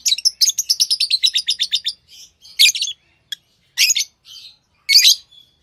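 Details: Lovebirds chattering: a fast run of a dozen rapid, evenly spaced high chips, then scattered harsh raspy chirps with pauses.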